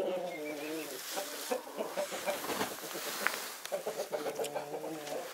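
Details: Mixed flock of Naked Neck, Marans and Easter Egger chickens enjoying winter sunshine; drawn-out, nasal, harmonic clucking calls repeat in steady runs, and sharper short notes overlap from several birds.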